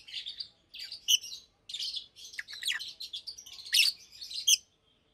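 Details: Daytime chirping and singing from two caged adult Fischer's lovebirds, a pastel green and a blue bird, nearly two years old: near-continuous high scratchy twittering in irregular bursts with sharper squeaky notes mixed in.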